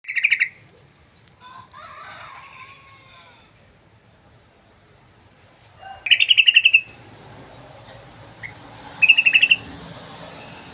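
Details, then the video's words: Yellow-vented bulbul lure call: three short bursts of rapid, harsh chattering notes, like a fast 'cruk-cruk-cruk', separated by quiet stretches with faint softer bird sounds and low background rumble. "CrukCrukCruk❗Pancingan Burung Trucukan ❗"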